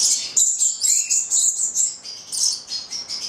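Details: A pair of nine-month-old Italian-bred Papuan lorikeets of the goliathina subspecies, recorded on Valentine's Day, give rapid, shrill, high-pitched chirps and squeaks in quick bursts, about two per second, with one short lower whistled note.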